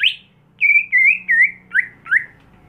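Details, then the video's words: Home-kept greater green leafbird, caged, in Indonesia, sings a string of clear slurred whistles, a sharp opening note and then five wavering notes that dip and fall, spaced evenly over two seconds, with a faint low hum behind. "Membuat Cucak Hijau Mental Rumahan Jadi Garang Di Gantangan"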